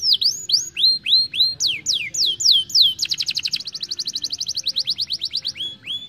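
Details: Young canary song used as a lure to get birds singing and rolling: clear descending whistled slurs repeated about twice a second, then a fast buzzy trill of rapid notes, ending in a steady high whistle.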